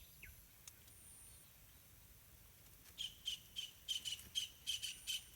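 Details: Yellow-vented bulbul in a pineapple garden, where parents feed two hungry chicks with wild fruits and small insects; after a quiet start, short high calls repeat about three times a second, with faint background chirps.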